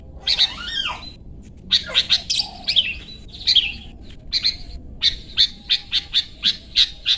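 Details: Long-tailed shrike 'toet toet' song used to train caged birds: a falling slurred whistle opens, then scratchy high phrases, ending in a steady series of sharp clipped notes repeated about every half second.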